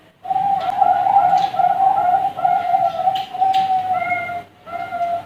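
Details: Young Bangkok-strain zebra doves at a bird farm give a steady run of soft, rolling coos on one low pitch, broken into short notes with brief pauses, ending in two separate cooing phrases.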